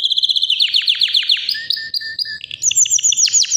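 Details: White canary about three years old, healthy, singing nonstop: fast rolling trills of repeated notes around high pitch, a steady mid-pitched sustained tone, then bright quick chirps rising higher, continuous and loud.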